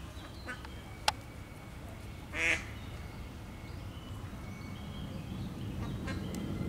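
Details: Single loud, rasping quack from a female mallard calling hatched ducklings unable to leave a deep tree cavity in Łazienki Królewskie, 4 May 2023; soft distant bird chirps and low background rumble.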